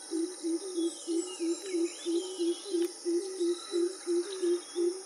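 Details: Greater coucal (Centropus sinensis) about 15 m away giving a long, even series of deep, hollow hoots, about three each second, over faint high insect hiss and distant bird chatter.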